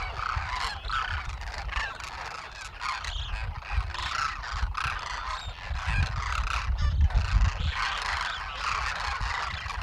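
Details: A flock of about 12,000 wintering Demoiselle cranes foraging in fields near villages in Rajasthan, India, keeps up a dense chorus of harsh, rolling, trumpeting calls, many overlapping, over low wind rumble.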